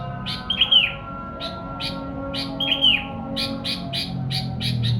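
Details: Sooty-headed bulbul singing, played to draw in wild birds; two whistled, arching downward slurs among short chirps, ending in a quicker string of evenly spaced chirps, with a low rumble behind.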